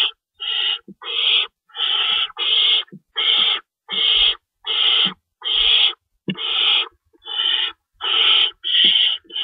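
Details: Owl nest at feeding time, 3:53 AM on March 25, 2012, an adult tearing rabbit for the young; around sixteen overlapping harsh, hissy screeches in a rapid, busy series, with occasional low knocks and shuffling.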